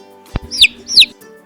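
A sparrow gives two bright, sharp chirps about half a second apart, each sliding downward, over a faint musical hum and a soft click.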